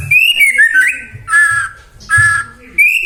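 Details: White-rumped shama song played to prompt other shamas to sing: clear high whistled phrases, some sliding and some steady, broken by brief pauses, over faint low thumps and hum.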